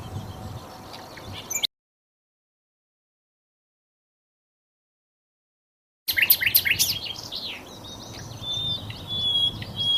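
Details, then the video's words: Flycatcher song, sikatan londo, played as a model for white-rumped shamas: brief chirp, a long stretch of silence, then a lively burst of high twittering notes followed by a thin whistled tone. "masteran murai batu || suara sikatan Londo"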